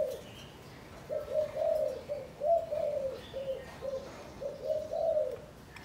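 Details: Caged spotted dove from Cần Thơ, Vietnam, trained as a hunting decoy: two soft phrases of low hollow coos, each with a slightly louder middle note, faint rustling in between.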